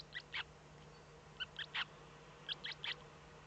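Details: Eurasian eagle-owl, Eifel, Germany, 05:36 on 8 April 2014, first hatchling out; shrill peeps in three irregular groups of two or three, roughly a second apart, over faint electrical hum.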